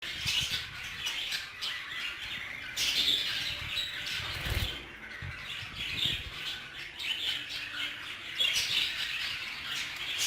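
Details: Hagoromo budgerigars in an aviary, a flock chattering densely with rapid high chirps and squawks, overlapping throughout, plus bursts of wing flapping.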